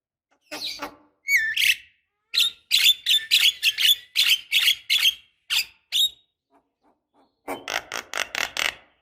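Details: Javan myna female calls to the male, used to make silent young birds sing: irregular runs of harsh, squeaky, grating notes, some in quick clusters, with a short quiet gap before a final burst.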